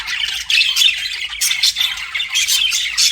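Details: Budgie chatter: harsh grating squawks mixed with thin chirps, a loud burst at the half-second mark then continuous high scratchy warbling.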